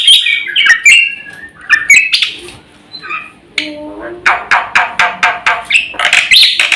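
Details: Black-winged myna singing a full, rich song used as lure and training material: varied short whistles and harsh notes, a quieter pause, then a loud, rhythmic series of raspy strokes ending in a whistle.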